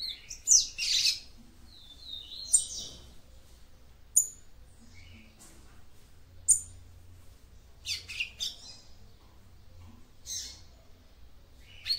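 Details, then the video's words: Capped seedeater female singing to arouse the male: a buzzy twittered burst, then isolated high chirps and short trills spaced through a quiet stretch with a soft low hum. "CANTO DE FÊMEA PAPA CAPIM PARA ESQUENTAR SEU MACHO"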